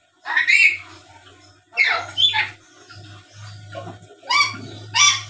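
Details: Black-capped lory, a talking, chattering bird used to provoke replies from rivals: harsh raspy screeches in irregular bursts, some sliding upward, over a continuous low hum in the background.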